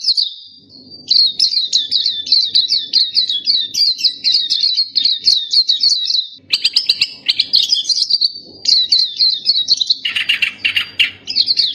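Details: Song of the black-capped white-eye, known locally as pleci dahi hitam: continuous high twittering warble of quick zigzag notes, briefly broken by a harsher buzzy burst near the end, faint low hum behind.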